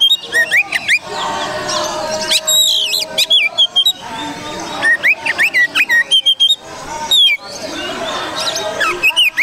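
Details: Pancingan recording of a kacer (Oriental magpie-robin) kept for song contests: varied loud whistles, sharp upslurred squeaks and harsh scratchy bursts, delivered in fast phrases broken by brief pauses.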